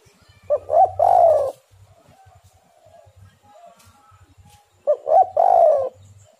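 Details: Spotted dove song used as a lure recording for doves. Two cooing phrases about four seconds apart, each a short lead note, a doubled note and a drawn-out mellow coo, over faint low pulsing sounds.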